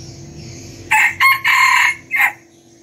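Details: Small decoy red junglefowl rooster that crows diligently at every dawn, kept for breeding; a short bright crow in four bursts, the long middle phrase sustained and harsh, over a faint steady hum.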